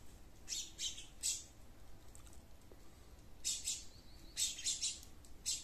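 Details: Garden sparrows giving small groups of two or three bright chirps, then a quiet gap of about two seconds before more chirping resumes.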